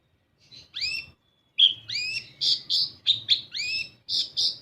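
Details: Lure song of an olive-backed sunbird (kolibri ninja), used to make untrained birds sing: after a soft start, brisk high chirps and curved whistled sweeps follow each other about once a second, fairly irregular.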